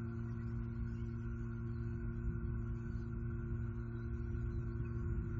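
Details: Constant low electrical hum with steady tonal bands and soft hiss throughout, with no animal sound.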